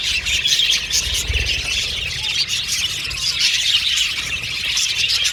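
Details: Aviary flock of budgerigars giving constant overlapping chirps and scratchy squawks, busy high chatter that swells slightly near the start and end, with faint low rumble underneath.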